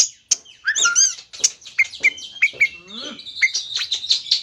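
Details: Aggressive Oriental magpie-robin singing continuously as a lure for other birds: shrill whistled phrases and falling downslurred chirps repeated about twice a second, then a steady high whistle overlaid with rapid twittering.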